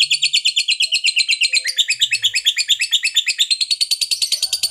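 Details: Lovebird of the fighter type in a long ngekek, used to provoke other lovebirds into singing: an unbroken run of fast, sharp, high chattering notes that steps up in pitch midway and keeps a steady, pulsing rhythm throughout.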